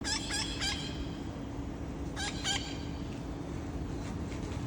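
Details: Wild parrots on an afternoon visit at 5:20 on 30 August, a scout calling before three more join: three quick harsh harmonic squawks, then two more after a pause, over a steady low hum and background rumble.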